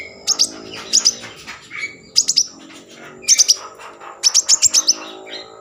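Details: Common iora singing vigorously as a lure for breeding mood and song: clusters of two to six sharp high chirps repeated about every second, over a constant low humming background.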